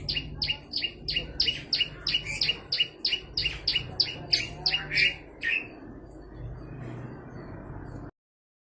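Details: Olive-backed tailorbird in full, active song for use as a training recording: a rapid, even run of piercing high notes about three per second for five seconds, then only a low hum before the sound cuts out.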